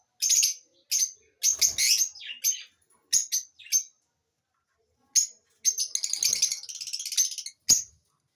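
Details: Lovebirds chirping: bursts of shrill, high chirps in quick clusters, with short pauses between groups and a longer run of dense, overlapping chirps toward the end.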